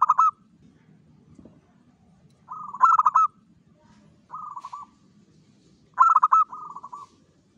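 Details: Local zebra dove singing lively as a lure to attract other zebra doves: cooing phrases of staccato, bubbling notes ending in a drawn-out coo, repeated roughly every two seconds over a low background hum.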